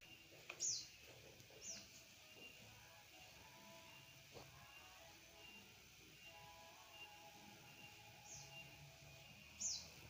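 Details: A cave swiftlet (Collocalia linchi), nesting in the corner of a house, gives four brief, very high chirps, two early and two near the end, over a steady hiss and faint low hum.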